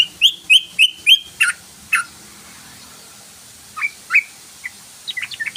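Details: Yellow-vented bulbul (trucukan) lure recording meant to make the bird sing quickly: four quick, bright, upslurred chirps, then a few sharper notes and a scatter of short, squeaky twitters after a pause.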